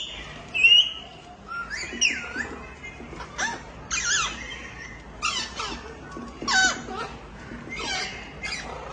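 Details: Indian ringneck parakeet female feeding her chicks in the nest; rapid harsh squeaky calls with rising and falling whistled notes in bursts, some louder screeches, busy and overlapping.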